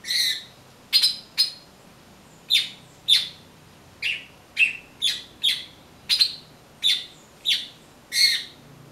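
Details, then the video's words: A blackbird seeking persimmons, eating passion fruit when none were ripe, gives a loud run of crisp chip notes and harsh squawks, roughly one every half to one second, clear over a quiet background. "Melro Cantando"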